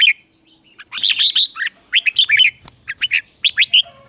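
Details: Morning training song of a red-whiskered bulbul: lively bursts of quick, warbling chirps with rising and falling slurs, in close phrases over a faint low hum.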